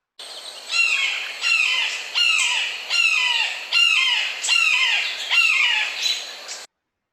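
Red-shouldered Hawk giving a steady series of about eight loud, down-slurred screaming 'kee-ah' calls, roughly one every three-quarters of a second.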